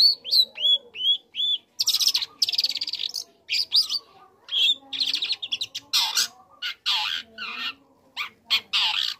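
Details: Young long-tailed shrike singing, used to provoke other shrikes: a few short whistled upslurs, then bursts of harsh, rasping chatter alternating with squeaky notes and brief pauses.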